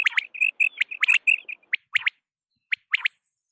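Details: Night quail sound opening with a fast string of high pips interleaved with sharp strokes, then thinning to isolated clipped double notes separated by silence.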